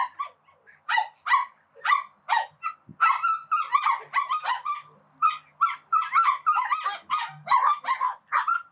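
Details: Call ducks at a spray pool, giving loud, harsh, nasal quacks in fast bursts of several notes, repeated almost without pause for nearly nine seconds.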